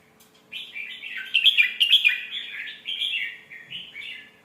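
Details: Red-whiskered bulbul singing a pleasing phrase for young birds to learn: one continuous warbling run of quick, slurred chirps that swells in the middle, then fades out, over a soft background hum.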